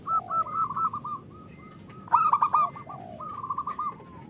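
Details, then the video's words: Local zebra dove, a female calling the male, used to lure lazy males into singing: soft staccato trilled coos in short runs, a louder stuttering burst midway, and gentle downward-curving low notes between phrases. "Suara Perkutut Betina Memanggil Jantan"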